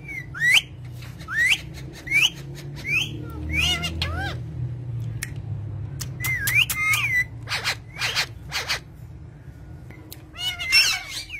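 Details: Parrot billed as talking; clear upward-sliding whistles and sharp chirps repeated in uneven bursts, with brief broadband clicks and quiet gaps between phrases.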